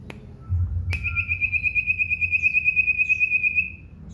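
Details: Caged common iora singing at home in full voice: one sharp note, then a sustained high trill of quick, evenly spaced whistled pulses lasting almost three seconds, with faint higher slurred notes and low background hum.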